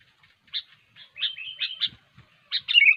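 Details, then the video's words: A sooty-headed bulbul's lively song used as a trapping lure: bright, quick, bubbly whistled phrases and sharp chirps in close succession, with faint low thumps beneath them. "SUARA BURUNG KUTILANG GACOR"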